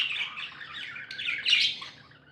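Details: Brief stretch of happy budgerigar chatter: a run of scratchy warbled chirps rising into one louder squawky burst before fading quieter, faint hum below.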